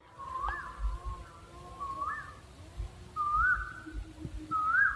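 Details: Owl calling, with clear whistled notes that rise and then hold, each about half a second long, repeated roughly every second and a half over faint low background rumble.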